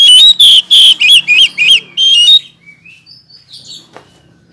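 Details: Oriental magpie-robin singing loudly to call out rivals: a quick series of rich, warbling whistles with upward and downward bends, then quieter scattered high chirps and a single tick.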